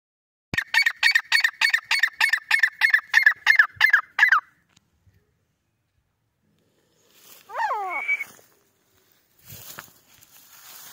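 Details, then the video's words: Grey francolin, known locally as teetar, calling: a rapid series of about eleven harsh, ringing notes for four seconds, followed after a pause by a brief wavering squeal and faint noise. "Grey francolin teetar ki awaz francolin call"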